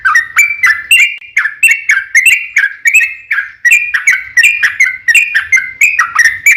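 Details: Yellow-vented Bulbul, called trucukan, singing its lively long 'ropel panjang' song as a lure for other birds; a lilting string of clear, gurgling whistles, roughly one and a half per second, with quick upward and downward slurs.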